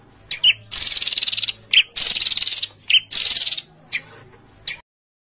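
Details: Songbird in a training recording for home-kept and contest birds, in the harsh 'besetan kasar' style: four long, dense, buzzy bursts of rapid pulses, each led by a short sharp note, separated by brief gaps, then silence.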